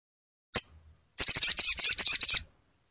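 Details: Crimson sunbird, a caged bird, used as a tutor sound to stimulate a silent bird to sing: one sharp high chip, then a fast run of about twenty high, buzzy, trilled notes over a little more than a second.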